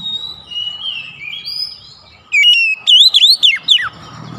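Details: Oriental magpie-robin singing on a lure recording meant to stir a silent bird into song: soft sliding whistles at first, then a loud burst of sharp, wavering whistled notes dropping steeply at the end.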